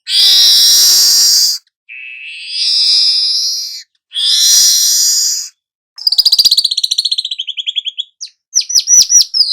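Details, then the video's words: Young weaver singing nonstop ('ngerol') as a lure for every bird kind: loud harsh wheezing buzzes alternating with a softer lower buzz, then a fast fading rattle and a string of sharp chattering notes. "Burung manyar muda AKTIF NGEROL pancingan segala jenis burung"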